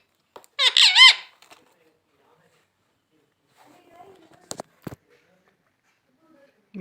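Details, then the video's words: Pet talking parrot saying the word Mithu: one short, squeaky, harmonic, voice-like utterance near the start, then a mostly quiet indoor room with a few faint clicks. "Parrot saying Mithu❤️ Talking parrot"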